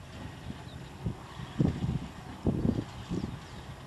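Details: A Greater rhea in Iberá Nature Reserve, Corrientes, Argentina, in October 2010, gives low, deep grunting notes in short bursts, about four over a few seconds, over a faint rumble of wind or distant traffic.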